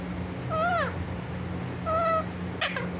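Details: Talking pet parrot calling "mummy mummy" in a clear voice; two drawn-out, meow-like wavering cries about a second and a half apart, then two short clicks, over a low hum.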